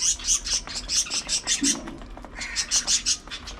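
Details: Budgies at early morning feeding time chirp in quick, high, clipped notes, about a dozen in rapid succession, followed after a short pause by more sharp tweets and a faint warble.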